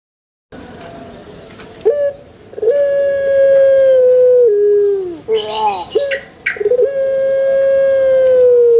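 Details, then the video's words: Puter pelung dove in a banana garden delivering two long level coos, each opened by a short rising note and ending with a downward slide, separated by wavering notes and a brief rustle. "SUARA ASLI PUTER PELUNG"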